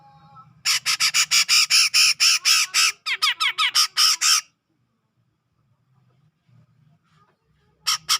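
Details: Grey-cheeked bulbul from tropical Sumatran forest near Medan, calling steadily: a fast run of harsh, buzzy, strongly repeated notes for about four seconds, a pause, then another burst starting at the end.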